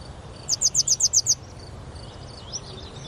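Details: At Oukaimeden, Marrakech, Morocco, a grey wagtail calls a crisp run of seven evenly spaced, high piercing notes in under a second. Softer distant bird chirps and a low background hum follow.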